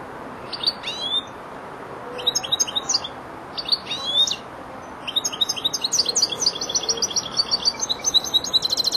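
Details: Young European goldfinch, four months old, practising the finishing flourishes (remate) of its song phrases. Bursts of bright, high, tinkling twitters with short pauses between them lead into a longer rapid run of liquid repeated notes that ends in a fast trill.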